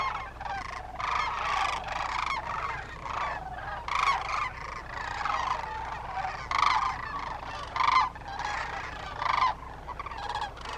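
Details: A wintering flock of hundreds to thousands of migrant Sandhill Cranes at Willcox, Arizona bugles in loud, rolling, trumpeting bursts that overlap every second or so, one setting off all the others, over a faint steady low hum.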